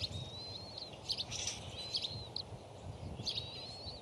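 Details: Three bald eagle eaglets huddled in the Decorah nest beg with thin, high peeping whistles, drawn out or clipped at uneven intervals, while a parent feeds them fish, over a steady low wind rumble.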